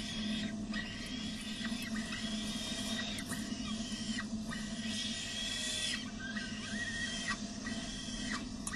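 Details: Peregrine falcon chicks at De Mortel on 6 May 2009 at 11:28 give thin, shrill squealing begging calls as the father brings prey and they are fed, over a steady hiss and low hum, with scattered clicks and knocks.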